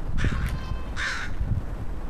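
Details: A crow greeting on 13 September 2013: two harsh, broad caws about three-quarters of a second apart, each short and raspy, over a low rumble of background noise.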